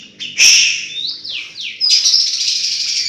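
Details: White-rumped shama singing unusual sounds: a loud harsh burst, then two descending whistled slurs, followed by a sustained high buzzy, chattering passage.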